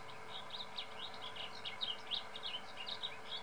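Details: Blue grosbeak at Bosque del Apache, 18 July 2013, singing a fast, rambling warble of bright, slurred notes that rise and fall over a steady low background hiss.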